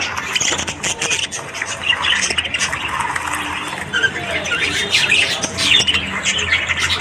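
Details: Australian budgies chattering in the morning: a steady, noisy wash of squawks and buzzy chirps from several birds, with faint short whistles rising out of the chatter.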